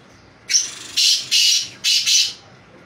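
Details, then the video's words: Black francolin, called kala teter locally, giving a grating call of four harsh, scratchy bursts in a rhythmic run lasting about two seconds, the bursts rising and falling in loudness, with only low background hum. "blackfrancolin kala teter"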